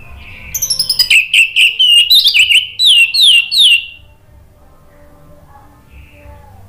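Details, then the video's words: Lure song of an orange-headed thrush, meant to prompt a stuck kept bird to respond: a fast stuttering run of notes breaking into loud, descending slurred whistles, then quiet. "Pancingan ANIS MERAH bikin NYAUT ikut BUNYI GACOR NGEPLONG"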